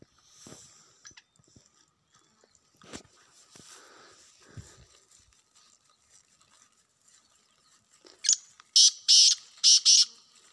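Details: Wild black francolin heard after a long stretch of rustling and low background noise, then a short burst of four loud, grating buzzy notes near the end.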